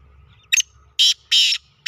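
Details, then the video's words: Black francolin call of a short sharp opening note followed by three longer harsh grating bursts at steady intervals, clear over faint low background hum. "Kala teetar ki awaz"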